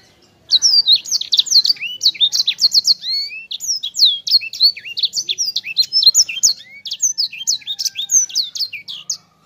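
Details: Sanger in dense, rolling ngerol song: a continuous stream of high, rapid whistles, trills and sweeping slurred notes running for about nine seconds with hardly a pause, bright and tightly packed over faint background hum.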